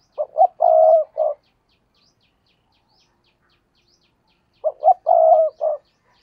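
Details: Spotted dove decoy for luring wild doves repeats the same cooing phrase twice, about four seconds apart. Each phrase has two clipped notes, then a long held coo and a short final note, over near silence.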